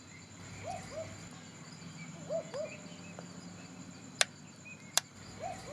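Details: A barking owl in a nearby tree at night gives soft doubled woof-woof notes, repeated a few times over several seconds, with night insects trilling steadily and two sharp clicks.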